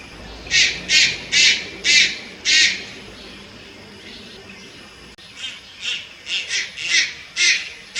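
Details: Juvenile Malayan night heron, Lugu, Taiwan, 30 July 2022: five strong grating squawks in quick succession, a quiet gap of two seconds, then a run of six thinner, softer rasps.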